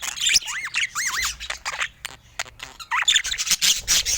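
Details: Pet budgerigars filmed in natural Scandinavian light, without words or music; warbling chirps with repeated rising-falling wavy notes, bursts of chatter with short pauses, and light clicks and scratching.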